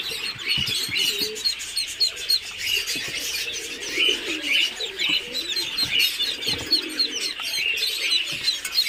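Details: A brood of Muscovy duck chicks on a farm in Kamrup, Assam, keeps up dense, overlapping high peeps without pause, with soft shuffling and thumps beneath.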